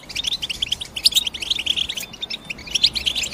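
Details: European goldfinch giving a continuous run of quick, high, tinkling chirps, with some louder sharp notes standing out along the way.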